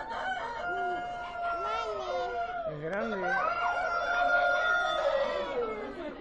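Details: Classic crowing from roosters exhibited at Expo Prado 2013: several long crows overlap, one swelling toward the end, over steady crowd chatter and background noise.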